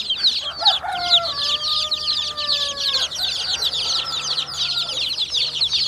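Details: Several young chickens chirping in a continuous high, sharp stream of peeps. Early on, a longer, lower drawn-out call with a steady tone runs beneath the chorus for about two seconds.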